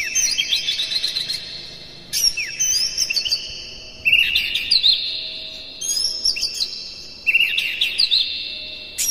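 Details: Exciting lure song of a white-rumped shama: bright whistled phrases with quick chirps arrive about every two seconds, each sliding into a held ringing note.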